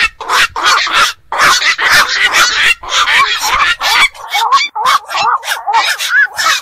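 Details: Night herons of ponds and beels, known locally as bakchu or nishi bok, give loud, rough squawks. The calls then thin into shorter, wavering, nasal notes repeated in quick bursts.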